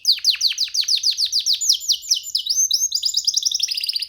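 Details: Canary chick sitting on a person's hand, singing freely: quick series of sharp falling chirps that speed into a rolling trill of high notes, dense and unbroken.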